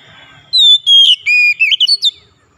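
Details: Oriental magpie-robin (kacer) song in gacor style, meant to coax a silent bird into singing: a sharp whistled phrase of long sliding notes followed by quick looping twitters, loud and clean against a quiet background.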